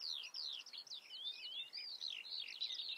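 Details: Common redstart delivering quick, clear slurred whistles and downward-sweeping high notes strung tightly together, one longer pure whistle standing out midway, in calm surroundings.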